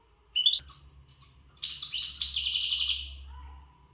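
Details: Untutored goldfinch from the Gharb in readiness song: a few sharp high chirps lead into a fast, dense twittering run of buzzy, liquid notes, fading away, with a steady low hum beneath.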